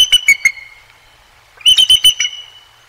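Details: Wild bald eagle pair, male and female, at the Decorah North nest in Iowa on a sunny February 20, 2023, recorded by live nest cam: two bursts of rapid high, thin whistled chirps, four to five notes each, separated by a brief silence.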